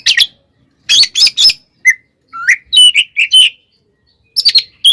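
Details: Oriental magpie-robin fighting song used as a provocation: clusters of harsh chattering bursts, then rising and steady whistled notes, closing with more rapid rasps.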